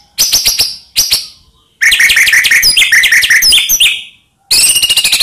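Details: White-rumped shama song played as a lure to rile other shamas: loud clicking bursts, then a rich run of varied whistles and chattering notes, a pause, and more clicking.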